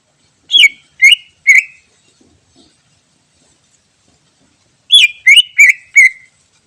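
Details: Wild greater green leafbird recorded as a lure: three descending whistled notes, silence of about three seconds, then four quick down-slurred whistles in a row.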